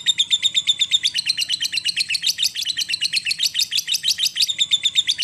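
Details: Lovebird ngekek chatter for prompting other lovebirds into song: a sustained, rapid string of harsh high notes that grows denser and louder in the middle, then eases slightly.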